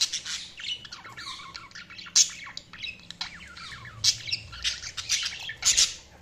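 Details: Budgies chirping together: busy overlapping chatter of short sharp chirps and squawky notes, high-pitched, with louder bursts near two, four and six seconds.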